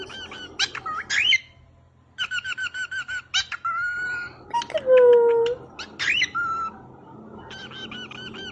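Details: Pet cockatiel, happy, whistling and attempting peekaboo indoors. Bursts of rapid repeated whistled notes alternate with short pauses, one long sliding whistle and a rising squeaky slur.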